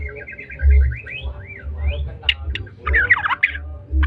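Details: Young spotted-plumage white-rumped shama of the Medan type: a run of quick repeated whistled notes, then rising sweeps, followed by harsh scratchy chatter and short sharp notes over a low rumbling background.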